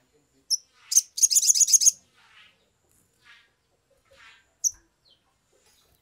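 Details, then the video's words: Sumatran leafbird singing in an agitated, lively state, used as a lure to make other birds sing quickly: a dense, high buzzy rattling trill lasting about a second, framed by sharp isolated high chips and fainter scratchy notes. "pancingan sogok ontong atau SOGON biar cepat bunyi"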